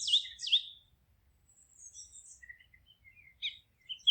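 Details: Forest birds singing: two loud, sharply rising chirps open, followed by soft high twitters, scattered short notes and a few bright chips near the end.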